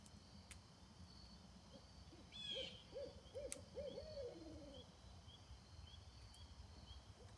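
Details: A barred owl gives a quick run of about six arched, mid-pitched hoots ending in a drawn-out note, heard while camping in Stokes State Park in September 2024 in perfect weather; a short high whistle from another bird comes just before.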